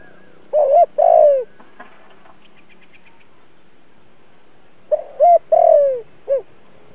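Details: Captive decoy spotted dove calling to lure wild doves: two coo phrases separated by a long pause, each a rolled note and a long downward glide, the second ending in a short curved note.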